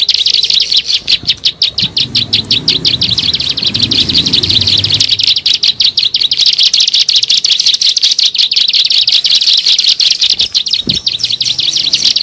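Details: Bar-winged prinia in a bird-luring recording: a dense stream of high, sharp chirps, about three a second, running unbroken for the whole stretch, with a soft low rumble in the first few seconds.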